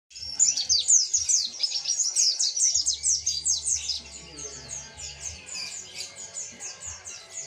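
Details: Mountain white-eye in the lively, unbroken "ngalas" singing style with "tembakan" bursts, used to train birds to sing: rapid high twittering notes pour out in a dense stream and fade slightly toward the end, with a faint low hum behind.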